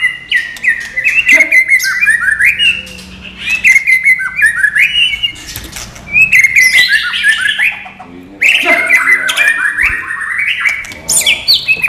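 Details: White-rumped shama, a non-puffing style, singing bursts of jumbled, rising and falling whistles and harsh notes, phrases separated by short pauses.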